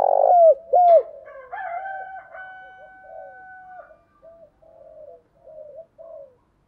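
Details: Decoy spotted dove cooing to provoke a wild rival into fighting: loud, bending coo notes open the sequence, then softer, rougher coos repeat at irregular intervals, with faint quieter cooing behind them.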